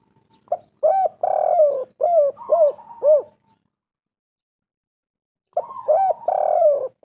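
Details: Lure call of a spotted dove meant to prompt other birds to answer: a quick burst of arched, throaty coos and one longer rasping note, then a pause of about two seconds before a similar burst resumes.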